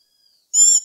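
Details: Black-backed tanager uttering a single short, harsh call full of high stacked overtones over a faint falling undertone, preceded by a thin faint whistle.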